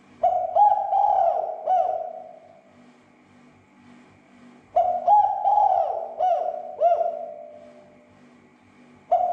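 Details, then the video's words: Spotted dove coo used to trigger calling in other doves: repeated mellow phrases of several bouncing hooted notes, two full phrases and the start of a third, with quiet gaps between. "SUARA PERANGSANG TEKUKUR AGAR SEGERA EMOSI DAN BUNYI"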